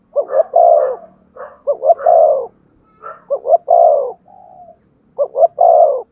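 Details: Spotted dove giving urging coos, used to quickly stir a decoy dove into calling: low mellow phrases, each two short notes then a longer drawn-out coo, repeated four times with short pauses, with no other sounds.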